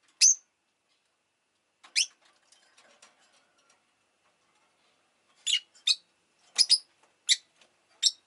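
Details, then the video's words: Pet rosy-faced lovebird giving isolated shrill, piercing chirps separated by quiet gaps, then a quicker run of five sharp notes in the final three seconds, with faint ticking in between. "Lovebird Chirping Sounds"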